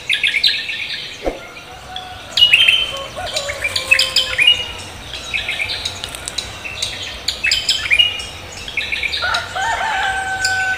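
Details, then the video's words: Cucak kombo greeting the morning with an energetic song of rapid twittering phrases and sharp high chirps in dense runs, a sudden low knock near the start, and other birds calling outdoors. "cucak kombo koak kelapa gacor menyambut pagi"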